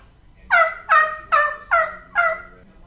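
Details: Einstein, a talking female African grey parrot living in Texas, imitates a turkey's gobble: five quick, throaty, harmonic bursts about two-fifths of a second apart.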